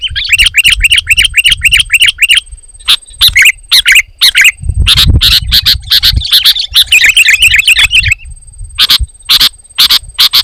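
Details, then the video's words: Sooty-headed bulbul in dense, loud song meant to provoke rival bulbuls into singing back and to lure wild birds. A quick run of about ten repeated chirped notes over two seconds, then harsh clicking bursts and a jumbled chatter. "Suara Burung KUTILANG GACOR, Rapat dan Lantang Menekan Lawan Burung Kutilang Lain Auto Emosi"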